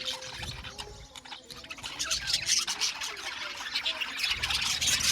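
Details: A budgerigar colony in an Australian budgie aviary, many birds chirping and warbling at once in a dense, high-pitched chatter that swells louder toward the end.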